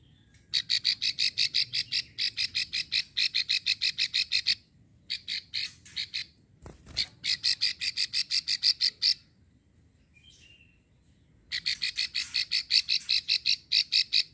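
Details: A female Plain prinia in Ulujami, Central Java, gives long chattering runs of rapid, dry, buzzy clicks, about three per second, in several bursts separated by brief pauses; the call is used to lure males into calling.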